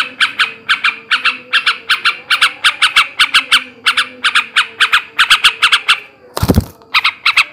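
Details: Yellow-vented bulbul male in ngebrem ngekek garuda song, meant to raise breeding drive: steady rasping cackles in clusters of two or three, broken near the end by a sharp knock.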